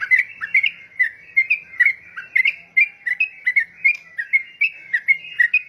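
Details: Very vocal yellow-vented bulbul delivering a continuous string of clear, slurred chirps, some rising and some dipping, repeated at a quick irregular pace over several seconds against a quiet background.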